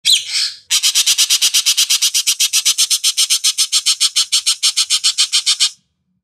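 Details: Racket-tailed Treepie giving a harsh, squawking rattle of about thirty rapid notes, some six per second, after a brief rasping opening note; a master-training recording for songbirds.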